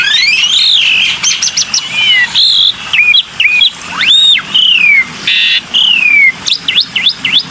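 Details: Varied whistled phrases from a black-winged myna, slurred upward and downward arcs, short rising notes and one grating buzz, delivered in a rapid continuous stream for a lure recording.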